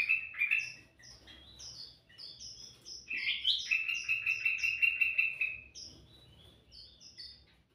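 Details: Lively sooty-headed bulbul song meant for luring birds: scattered high piping notes around a rich, buzzy trill that runs unbroken for nearly three seconds, then quieter high chips.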